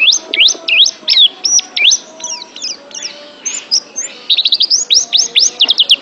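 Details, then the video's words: Training recording of oriental white-eye, pleci, singing: sharp V-shaped chirps about 150 per minute, irregular spacing, slurred whistles, then a quick rattle of fast chirps near the end. "TERAPI MENTAL PLECI ♫ DIJAMIN PLECI ANDA JADI JUARA ♫ Kicau Burung Terbaru"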